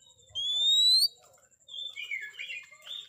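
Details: Fighting song of an Oriental magpie-robin, played to provoke rivals: one long pure whistle sliding upward, then a pause and a run of quick twisting whistled notes.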